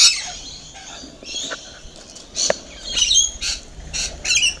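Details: Feeding rainbow lorikeets give separate short, shrill squawks and chirps, roughly one every half second in the later part. Faint rustling and knocks sound between the calls.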